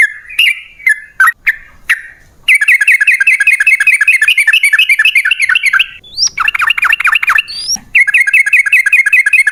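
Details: Lure recording of yellow-vented bulbul (trucukan) for prompting caged birds to answer: a few scattered chirps, then a sustained rapid chattering roll of harsh repeated notes, interrupted by two sharply rising whistles before the roll resumes.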